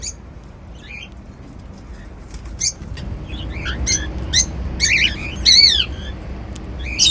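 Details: Pet cockatiels eating seeds, giving scattered short chirps that build into louder arched, harmonic whistled calls toward the end, over a low steady background hum.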